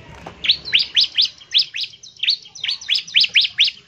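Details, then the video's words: Bar-winged prinia calling other prinias to sing: a steady run of quick, rising, whip-like high notes, repeated roughly every quarter second over a soft background hum. "CIBLEK GACOR, NEMBAK NGEBREN UNTUK MEMANGGIL CIBLEK CEPAT BUNYI GACOR"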